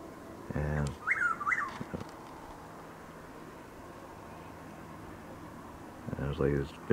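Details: A Chuck-will's-widow gives one whistled three-part phrase in predawn drizzle near Lake Placid, Florida, 12 April 2023, framed by a man's voice speaking before and after.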